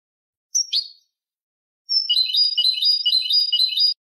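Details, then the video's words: Malagueño canary song, played to train and teach other canaries: a short high chirp, a silent gap, then a fast even trill of repeated high notes lasting about two seconds in otherwise clean silence. "cd canto malagueño"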